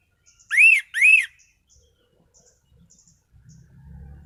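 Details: Orange-headed thrush (anis cendana), kept caged as a songbird, sings two loud arched whistles, each rising then falling, followed by faint ticks and a low rumbling noise at the end.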